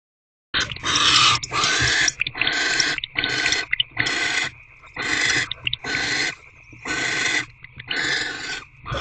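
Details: Barn owls in Owl Box C during an evening food delivery and bonding, 16 February 2024: about eight harsh, hissing screeches, each roughly half a second long, repeated about once a second over a steady electronic hum.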